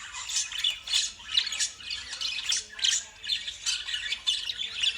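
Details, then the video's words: Lovebirds give harsh, shrill squawks and chattering screeches in rapid bursts, roughly twice a second, with no other clear sounds. "Love birds sound"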